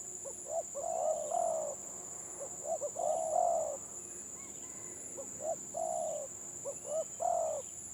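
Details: Spotted doves, village birds, in a Gelang Patah song match of two stuttering-style ('gagap') singers: short hiccuping coo notes lead into longer, deep hollow coos, phrases repeating every two seconds or so, over a steady high electrical whine.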